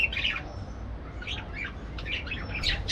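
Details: Harsh, grating parakeet squawks and chirps in quick succession, with several rasping notes close together and a louder call at the very end.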